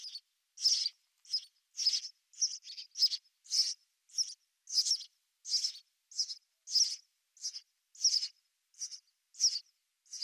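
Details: A long series of short House sparrow chirps, about sixteen notes spread over ten seconds at an irregular pace, high and squeaky, with no other sounds.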